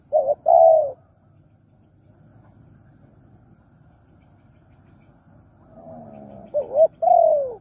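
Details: Lure recording of a spotted dove for attracting wild doves: two short coos and a longer croon, a quiet gap with faint low rumble, then the same coo-coo-croon phrase repeated.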